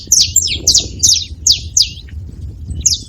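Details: At a feeding spot, a saffron finch gives loud, bright, downward-sweeping chirps, about two per second, tapering off toward the end, with soft low background noise.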